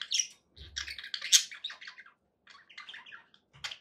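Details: Short burst of pet budgerigar chatter: scratchy chirps and warbled notes in quick bunches, a brief gap, then more chirps, with soft low knocks.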